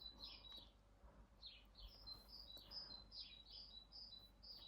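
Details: Great tit singing outdoors, its song rendered as hee-hoo: a soft, steady series of high whistled paired notes, one higher and one lower, repeated throughout.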